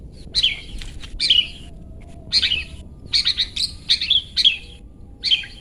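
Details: Bright "toet toet" song of a long-tailed shrike, used as a master for pet birds: loud, crisp chirps in separate bursts, some single, some in quick runs of three or four, over near silence.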